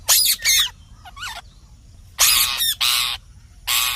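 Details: Green parrot giving loud, harsh, raspy squawks in short bursts: a pair near the start, a thinner wavering note, then three more grating calls after a pause, over a quiet background.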